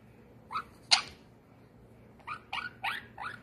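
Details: White silversilk-colour monk parakeet gives six harsh, grating squawks over about three seconds; the second is loudest, and the last four come quickly together.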